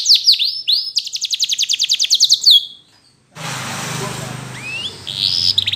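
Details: Yellow canary delivers a short burst of swooping notes and a fast, steady trill. Silence follows, then a stretch of background hiss with a faint upward chirp.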